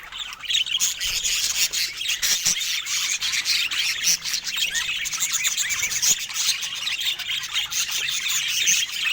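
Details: Rare budgerigars, recorded without speech or music in natural Scandinavian light, produce a bright, dense, scratchy twitter of many high overlapping chirps, broken by sharp clicking taps.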